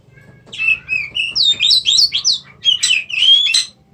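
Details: White-rumped shama, a kept songbird in Indonesia, singing a rich run of loud, clear whistled phrases that slur up and down, with some notes rising sharply and others falling in quick succession; faint low hum beneath.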